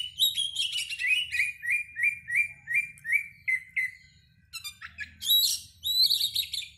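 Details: Oriental magpie-robin song used to provoke singing before a contest; a string of about eight repeated slurred whistles, then a pause and a burst of rapid buzzy, varied notes.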